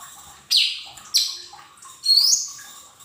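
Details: Lesser green leafbird lure song for untrained cage birds: three loud high whistles, two sliding downward and a final longer note rising into a thin buzzy trill, against a faint hum.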